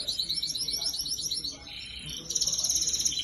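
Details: Red and yellow domestic canaries singing: rapid high trilled phrases of repeated chirps, switching to a brighter, louder trill partway through, with a faint background hum.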